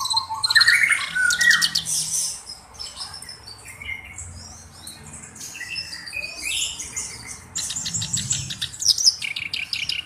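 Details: Black-browed reed warbler, a tutor bird, giving loud bursts of chattering and whistled notes at the start and end, with a softer, sparser stretch of scratchy calls in between.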